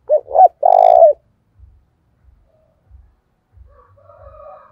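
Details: Decoy spotted dove calling hard to provoke fights. Two short hooked coos are followed by one long, buzzy, level coo, all low and mellow. Faint soft tapping and a distant, quieter coo come after.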